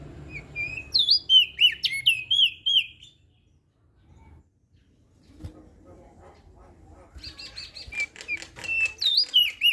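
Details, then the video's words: Crested white-eye from Lombok in lively song, used as a training recording to prompt reluctant birds to sing. High, rapid twittering bursts of wavering whistled notes stop for several seconds midway, then resume. Faint low knocks sound in the background. "Opior JAmbul Laombok Gacor Suara Merdu"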